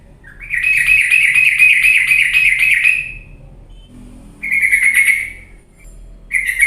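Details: Lure sound of a sooty-headed bulbul for getting sluggish birds to sing vigorously: a long rough chattering series of quick buzzy pulses, then a brief pause, a shorter harsh burst, and another starting.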